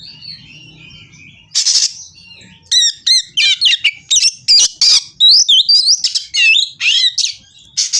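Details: An agitated Oriental magpie-robin looks for a rival to fight after a quiet, faint opening, breaking into loud, varied song: harsh raspy bursts mixed with quick upslurred whistles and chips, delivered in rapid irregular succession.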